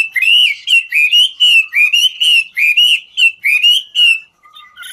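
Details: Ngũ trường hwamei singing as it dances: a steady series of clear, rising whistled phrases repeated a little over once a second, then a brief pause with faint soft notes.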